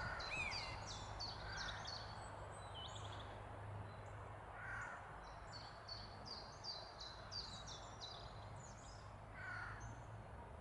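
A Eurasian jay gives harsh, rasping screeches a few seconds apart over high chattering from small birds.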